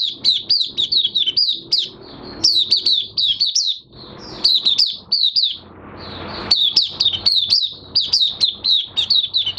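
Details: Oriental white-eye singing in a cage while in minor moult, 3 June 2022: long runs of rapid, high, thin chirps, each dipping in pitch, broken by a short pause before another fast burst.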